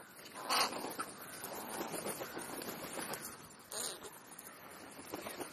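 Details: Crows calling while feeding between breakfast and lunch: two short, harsh, broadband cries about three seconds apart over a steady background hiss.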